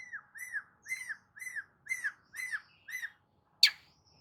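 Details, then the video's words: Soft long-tailed shrike song used as a lure for a silent shrike. Seven arched whistles, each rising then falling, come about twice a second and carry thin high overtones. A sharp click ends the run. "CENDET MACET COBA PANCING DENGAR KICAU"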